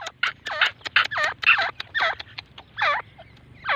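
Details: A grey francolin, possibly female, gives loud, harsh, ringing notes in a quick series of about two to three per second, each note dipping and rising.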